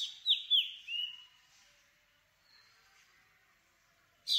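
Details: Black drongo, three loud downslurred metallic notes in quick succession, the last drawn out, followed by quiet and the start of a new burst.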